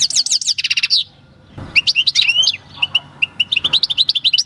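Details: Field-caught European goldfinch from El Paso, captured in 2018, singing its natural country song: a quick rhythmic trill, then varied tinkling twitters and a series of sharp clipped chirps, with a brief thump of handling noise.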